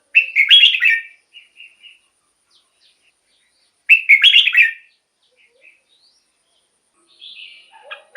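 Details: Red-whiskered bulbul song for exciting caged bulbuls: two loud rich warbled phrases about four seconds apart, each trailing into soft notes, and a thin high whistle at the end.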